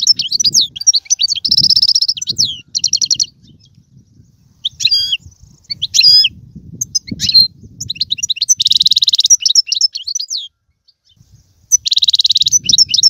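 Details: Singing European goldfinch, used to encourage a pet goldfinch to sing: long phrases of high liquid twitters and nasal buzzing trills, broken by short silences, with faint low rumbling underneath.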